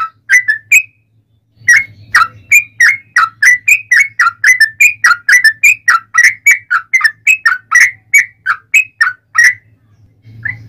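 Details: Extended fighting song of a yellow-vented bulbul, a lure to make others reply: a few notes, a brief pause, then a sustained, fast string of bubbly, cheerful whistled notes for about eight seconds, with a low hum underneath.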